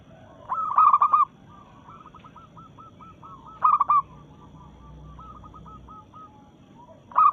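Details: Local zebra dove singing to challenge rivals in breeding mood: loud bursts of fast, stuttering coos, separated by fainter, even runs of rolling notes.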